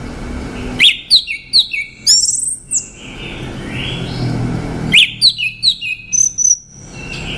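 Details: Orange-headed thrush song in two bursts: a quick series of high descending whistles and chirps, a pause with soft slurred notes, then a similar rapid phrase and a sustained thin whistle.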